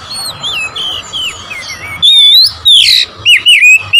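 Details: Oriental magpie-robin song used to challenge rival birds. Soft wavering whistles in the first half give way to loud, crisp whistled phrases with a brief rasp, delivered in separate bursts.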